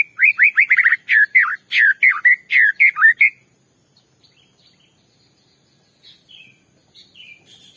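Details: White-rumped shama singing to provoke another shama: rapid series of rising whistled notes and rich varied phrases for about three seconds, followed by faint distant high notes.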